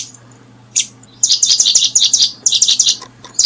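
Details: Brooding paddyfield pipit gives thin, high chirps in two quick bursts of several notes each, over a steady low hum.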